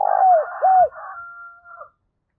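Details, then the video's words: Spotted dove giving urging and calling coos, used to quickly stir a decoy dove into cooing; two loud, low, arched hooting notes, then a quieter trailing note with a faint harmonic haze above. "cu gáy thúc và gáy gọi/ cu gay kich boi nhanh noi gù"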